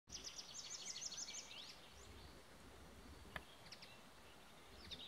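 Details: At Lauwersmeer in May 2017, a singing tree pipit gives a fast series of high, repeated chipping notes running into a thin descending slur, then a few faint high notes over steady background hiss.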